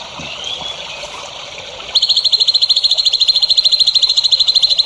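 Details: Songbird heard on a tutoring recording for young songbirds: after two seconds of faint background hiss, a loud, high, rapid trill of evenly repeated sharp notes begins and runs steadily to the end.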